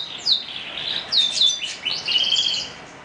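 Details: Canary in morning song: short clusters of high, sweeping chirps and downslurred whistles, followed by a sustained rapid trill toward the close.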